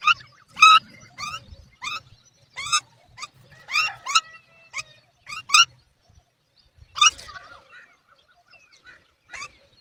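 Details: A mother myna calls to her babies for feeding, which do not answer. Loud, harsh, squawking notes come in a quick run of about ten, then a pause and a few more scattered calls.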